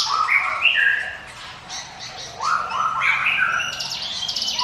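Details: Ciblek gunung prinia song in the "ngiwit wit" style, offered as a lure for other birds: short rising whistled phrases stepping between low and high notes, with sharp high chips and a brief quieter gap midway.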